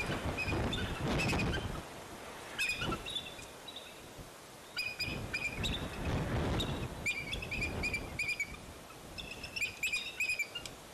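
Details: Bald eagle at Fraser Point, 04-10-2019, as eaglets fell out of the nest and returned: scattered high whistled chitters, sparse at first under loud rumbling wind, then a denser run of shrill notes near the end.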